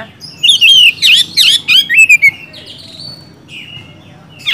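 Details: Oriental magpie-robin singing loudly, used to provoke lazy magpie-robins into singing: a rapid run of varied whistled notes with sliding, warbling phrases in the first half-second to two seconds, then softer thin whistles and a final sharp note.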